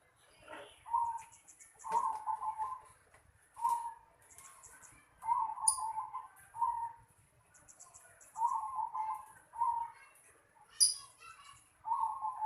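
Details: Zebra dove calling in a home yard: a long run of short, burry cooing phrases repeated about every second or so at a steady mid pitch, with thin high chirps from other birds scattered throughout.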